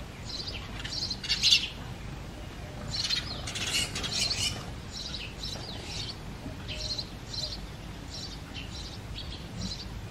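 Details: Breeding-season chorus of male house sparrows chirping loudly. Many overlapping short, sharp chirps clump densely in places over constant background hiss and rumble.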